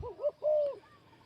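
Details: Male spotted dove used as a ground decoy, cooing: a short rising-falling hoot, a pause, then a longer level drawn-out coo ending in a slight drop, clear and mellow, with low background noise.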